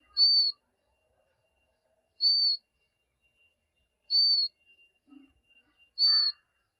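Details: A jungle babbler chick begs its mother for food with four thin, high, evenly held whistled notes about every two seconds, with faint soft sounds between them.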